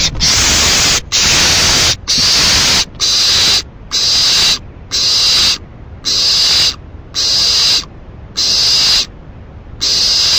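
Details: Owl heard at 4:04 AM on June 7, 2012, producing a steady series of loud, airy hissing screeches, each just under a second, evenly repeated about once per second with brief pauses between.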